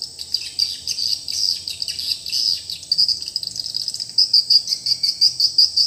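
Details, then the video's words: Newly replaced lure call for a swiftlet house: a dense, high, buzzy twittering that runs continuously, with sharper chirps pulsing rapidly toward the end. "suara panggila baru rumah burung walet"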